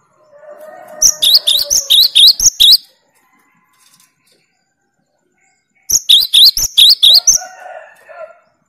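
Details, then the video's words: Challenging rival birds, a cinereous tit fires two volleys of 'tembakan' song: each a string of about seven quick, high, chipping two-note figures. A faint lower drawn-out sound sits beneath the first volley and after the second. "Tembakan burung Gelatik Batu paling joss melatih mental lawan"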